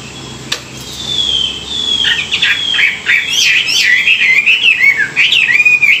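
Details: Chinese hwamei in morning song training for freshly caught wild birds: a long falling whistle opens into a fast, loud run of looping, rising and dropping whistled phrases, very high and continuous.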